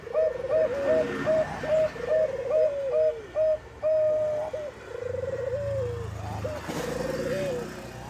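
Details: Zebra dove of the Bangkok type singing as a lure to set other doves singing; a run of short clipped coos leads into longer trilled, gently falling notes, phrases following closely with a soft low rumble underneath.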